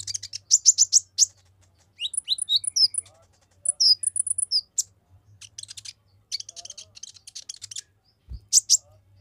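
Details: Olive-backed sunbird singing rapidly to provoke other males: dense bursts of very high, thin chirps and fast trills in short volleys with brief pauses, plus a few lower soft notes and a faint low hum throughout.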